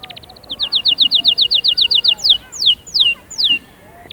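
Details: Canary singing meant to make chicks sing and ready females: a quick trill of even, clipped notes about five per second, then three slow, loud falling whistles.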